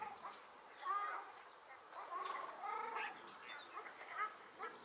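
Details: Nasal honking from ruddy shelducks in March 2022 at Hergershausen and Bickenbach wetlands, with scattered short honks and softer background chatter.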